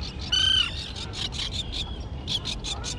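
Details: Fledgling terns at a grassy island colony. One loud, drawn-out harsh cry opens, then a run of short rasping calls repeated several times a second.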